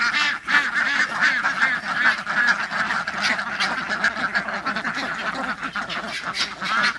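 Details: Flock of 23 domestic ducks, mostly females with three males among them, excited; dense overlapping low-pitched quacking and honking from many birds at once, continuous chorus without pauses, said to signal happiness and excitement.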